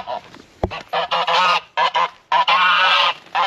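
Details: Domestic geese in a poultry yard honking aggressively as a person walks near, raising the alarm whenever someone passes; harsh, nasal, harmonic honks come in ragged bursts, one after another, with brief gaps and a sharp knock near the start.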